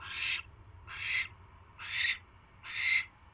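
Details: Owl filmed at night on January 28, 2016, after catching a mouse: four separate hoarse, hissing screeches, about one per second.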